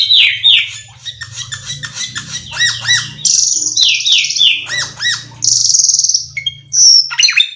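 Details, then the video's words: Singing black-winged myna mixing falling whistles, ringing arched notes and several long harsh buzzy rasps in a rapid, varied sequence, with a faint low hum beneath. "suara burung cucak keling"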